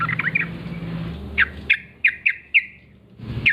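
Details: Morning song from a wild sooty-headed bulbul: a brief twittering opening followed by a series of single sharp, downslurred whistled notes spaced about a third of a second apart, with low background hum.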